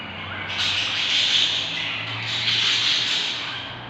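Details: Newly hatched budgerigar chicks inside a nest box give two harsh, hissing, rasping bursts, each lasting over a second.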